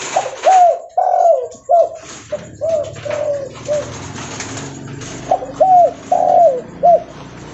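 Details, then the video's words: Spotted dove of the leopard variety calling loudly while walking: two series of short, arched coo notes, the first group softer and fading, the second crisp and evenly spaced, over faint background hiss. "Suara Derkuku Leopard Volume Besar Super Gacor Bunyi Sambil Jalan"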